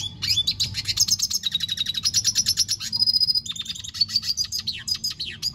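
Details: A red siskin sings continuously: rapid, high, chattering notes running together into buzzy twittered phrases, one brief level trill near the middle, then more quick, slightly falling chips, with a faint low hum behind.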